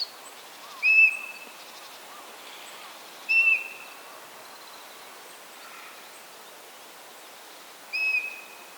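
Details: Male and female common buzzards calling while courting and mating: three brief, clear whistled mews, slightly falling at the end, given at irregular intervals of two to five seconds over soft background chirping of other birds.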